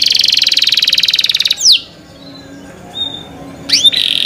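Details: Canary in cenkok song delivers a rapid high rattling trill lasting a second and a half, then a single sweeping downslur, a short thin whistle and a final rising-falling flourish.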